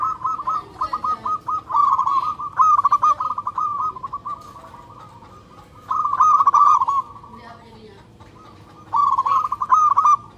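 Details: Local zebra dove, loud and insistent, calling for a mate: spaced coos lead into dense rolling trilled phrases, softer lingering notes, and two more vigorous stuttering bursts after short quiet breaks.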